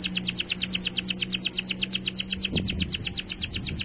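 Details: Singing canary in a lure recording meant to set other canaries singing: one steady, very rapid rolling trill of high repeated notes throughout, with a brief low thump midway.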